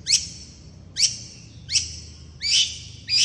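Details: Long-tailed shrike in fast, dense song used to lure other shrikes to reply, here four loud, sharp, rising high notes spaced under a second apart against a quiet background.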